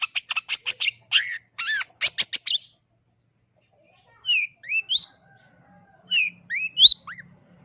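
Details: Long-tailed shrike gacor song opens with a quick burst of sharp chirps and a down-slurred whistle, then falls silent before sparse, upward-sweeping whistled notes in pairs.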